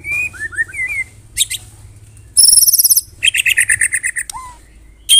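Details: Medan white-rumped shama giving kretekan song meant for morning masteran training; slurred whistles give way to loud buzzy rattles and a run of fast high chips, then a falling whistle.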